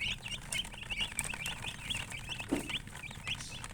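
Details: Colored chickens, known as murgi, giving a busy stream of shrill, quick peeps from several birds at once, over a low droning hum.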